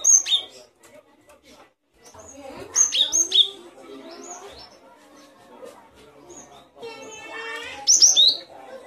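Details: Great tit singing: clear, high whistled notes sliding downward, given in short bursts near the start, around the third second and again near the end, over a busy background of softer chattering birdsong.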